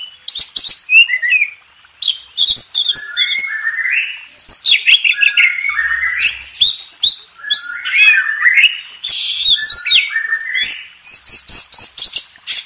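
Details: Champion contest Oriental magpie-robin delivering a long master song: dense run of buzzy chatter, descending whistles and scratchy mimic-like notes, almost without pause.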